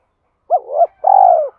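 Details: Low cooing from a decoy spotted dove singing a two-ending calling song to draw out wild doves. A rising-and-falling double coo leads into a drawn-out, rattling coo that slowly drops in pitch. Nothing else is heard.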